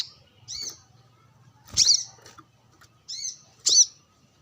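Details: Brown-throated sunbird sunbathing and calling toward wild birds: slurred, high, down-arching notes in loose pairs, with a faint low hum underneath.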